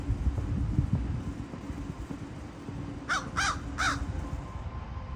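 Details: Crow making a series of clicking sounds: three quick harsh notes in a tight burst near the end, over constant low hum and scattered background thumps.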